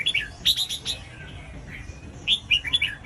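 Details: Red-whiskered bulbul singing to prompt other bulbuls to sing, with quick clusters of clear, chirpy whistled notes at the start and end and a quieter gap between them.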